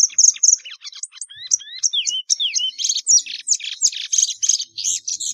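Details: Plumbeous seedeater delivering a rich, rambling song of high chirps, slurred downward whistles and scratchy trills, packed tightly together over more than five seconds with no other sounds.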